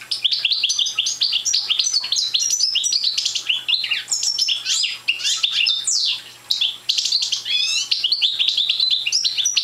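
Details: Parva European goldfinch, a youngster whose song is not yet complete, keeps up a long, lively stream of high tinkling twitters and fast trills with only brief breaks.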